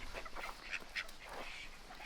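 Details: Three newly arrived male call ducks on a farm, meeting other birds and squabbling, give short, raspy quacks in quick bursts, with a person talking nearby and farmyard background noise.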